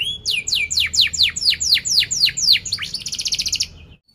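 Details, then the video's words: Canary in full song, for teaching young canaries and waking silent ones: about ten loud, sweeping downslurred whistles in quick, even succession, then a faster high, buzzy trill that fades out. "Kenari Gacor Cuit cuit NgeroL TAJAM | untuk Pancingan kenari Paud belajar Bunyi & kenari MACET BUNYI"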